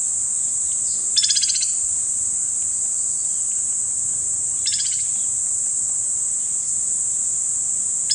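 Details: A White-naped Woodpecker (Chrysocolaptes festivus) in Kanha National Park, Madhya Pradesh, India, gives two or three short, fast, harsh rattling trills a few seconds apart, over a steady high insect whine.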